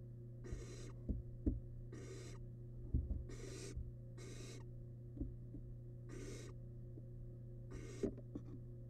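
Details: Wild barn owl nestling eating large rabbit remains inside a monitored nest box. Seven broad, noisy hissing screeches come at irregular intervals, with a low steady hum and scattered thumps from movement.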